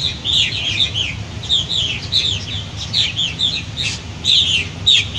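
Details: Adult purple martins at nest gourds during fledging, calling fledglings out of the nest; overlapping chattering, gurgled chirps in bursts, several birds calling together, steady low background rumble.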